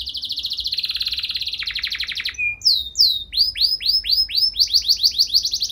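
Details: Canary delivering long, ornate song to trigger replies from other canaries: a continuous pulsing buzzy trill, a short downward glide, then loud repeated rising whistled notes in quickening succession.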